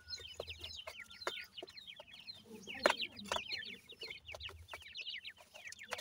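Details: Baby francolins accompanied by family members peep constantly in high, thin notes that slur downward, often overlapping. Occasional clicks and one louder snap sound midway.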